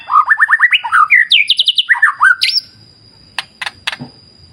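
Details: Murai batu (white-rumped shama) in a clear-river wild-nature therapy recording: quick repeated whistled notes in rolling series, a high trill of rising strokes, then sparse sharp clicks against a faint background hum.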